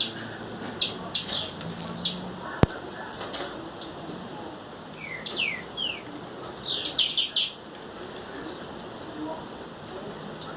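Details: Female blue-black grassquit in the wild, calling to attract a male. Very high buzzy notes, sharp clicks and falling chirps recur unevenly, with one sudden click partway through.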